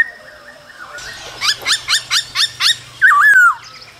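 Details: Captive male laughingthrush singing and dancing in the cold season alongside female calls: a quiet whistled opening, then six evenly spaced sharp chirps and a loud, wavering slurred whistle near the end.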